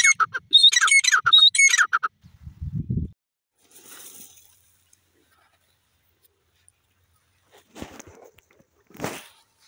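Grey francolin giving two loud, harsh, squeaky phrases of rapid repeated notes in the first two seconds, then dull low thumps and a few faint rustles.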